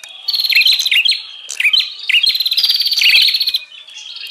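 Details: Lure call of the bar-winged prinia for attracting wild birds: continuous loud, busy chattering trills with sharp chirps, nearly unbroken for over three seconds, then fading.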